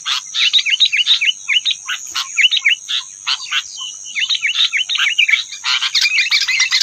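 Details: Wild rufous-tailed robins competing in song with caged birds: quick runs of sharp high chirps and slurred whistles, several notes per second in uneven clusters, with a persistent high-pitched hum underneath.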